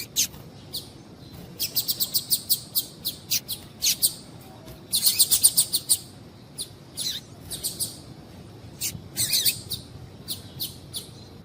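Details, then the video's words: Female double-collared seedeater calling, a sound used to stir males into song: thin, very high chips in loose bursts, some run together into short rapid trills, with uneven gaps throughout. "Piado de Fêmea de Coleiro para Esquentar Coleiro"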